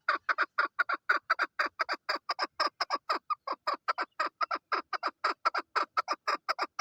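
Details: Chakor, the female chukar partridge, giving a long steady series of hoarse, clucking chuk notes, about thirty in under seven seconds, slightly uneven in spacing, with no other sounds.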